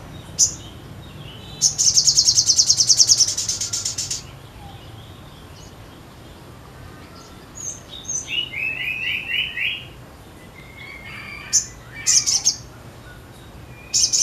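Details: Crimson sunbird delivering a long, dense, buzzy trill of rapid high notes, then quieter twittering phrases and a short run of lower repeated notes, ending with sharp chirps.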